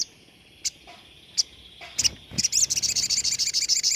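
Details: Sogon performing a 'tembakan' song, kept for training other songbirds. A few isolated sharp ticks give way to a fast, loud, high trill of rapidly repeated notes.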